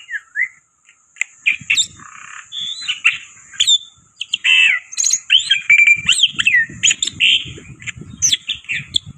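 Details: Loud black-winged myna lure song of scratchy squawks, slurred whistles and sharp high chips, over a steady rustling low background noise in the later part.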